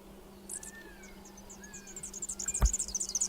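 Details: Superb fairywren of Australia sings its ultra-fast, high-pitched, laser-like song: very high, thin notes speeding into a rapid trill, over a low steady hum and one dull thump.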